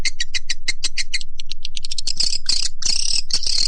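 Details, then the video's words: Lure call played to attract swiftlets, used by Indonesian swiftlet farmers: a rapid run of sharp clicking notes giving way to dense, scratchy buzzing twitters. "SUARA PANGGIL WALET"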